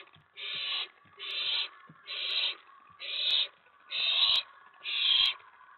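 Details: Excited owlet in a nest box late at night, May 19 2017, reacting to an owl arriving on the tray after a mouse delivery; six drawn-out rasping hisses, evenly spaced about a second apart.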